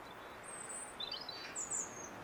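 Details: A robin sings near bird feeders, giving very high, thin drawn-out whistles, then a quick jumble of short twittering notes and a final sharp, high squeaky phrase, with constant low background noise.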